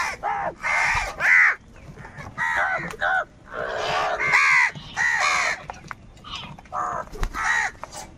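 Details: Crows fighting for food, with calls of anger and unity: an irregular stream of raucous caws from multiple birds, some drawn out and grating, others short, near and far voices overlapping.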